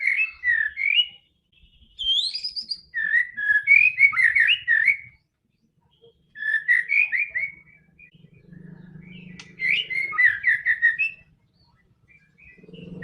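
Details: White-rumped shama song meant to get a quiet bird singing: four bursts of fast, varied whistled and warbled notes, some swooping high, separated by short pauses, with a faint low hum in one gap.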